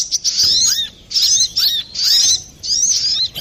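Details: A brown-throated sunbird gives clear, lively song, used to lure or train birds; short high bursts of twittering with a curved whistled note, about four phrases in quick succession.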